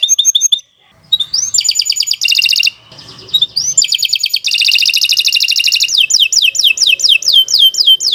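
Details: Long, non-stop canary song meant to prompt other canaries to sing: fast metallic trills, rising whistles and rolling buzzy phrases, ending in a series of quick descending swept notes repeated several times; faint low background noise.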